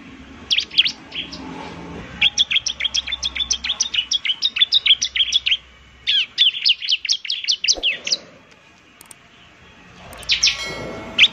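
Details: Bar-winged prinia song used as a lure: bursts of fast, high, sharp chirping notes repeated in runs, with short pauses between phrases and a quieter gap near the end before chirping resumes.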